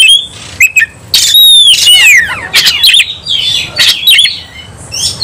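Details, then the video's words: Oriental magpie-robin in fighting mood: a few sharp clicks, then a dense burst of loud, rasping, downslurred whistles and chattering notes, fading into softer scratchy calls. "kacer langsung KONSLET tarung ngotot full emotional"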